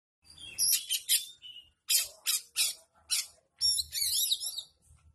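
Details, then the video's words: Oriental magpie-robin delivering rough shrike-style mimicry: a series of loud scratchy, squawking bursts in short groups, ending in a long buzzy, warbling rattle with faint low thumps underneath. "KACER ISIAN CENDET FULL KASAR"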